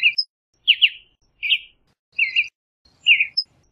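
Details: Western bluebird calling with five short, husky double-noted chirps spaced roughly every three quarters of a second, some slurred and burry, plus faint thin high notes in a quiet setting.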